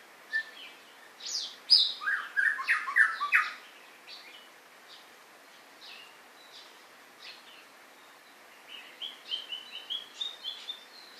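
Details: White-rumped shama song: an energetic burst of rich, varied whistles and chatter, a quieter pause with soft notes, then a rapid series of short high rising notes.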